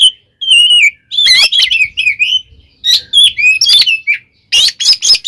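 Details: Aggressive fighting song of an Oriental magpie-robin, meant to provoke rivals: long warbled whistle runs blending into rasping chatter, ending with rapid harsh bursts.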